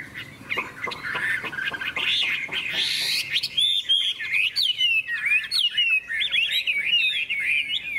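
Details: Hwamei, golden with a big tail and wing-flicking display, in contest song: a noisy rasping opening gives way to clear, bouncing whistled phrases repeated in quick succession.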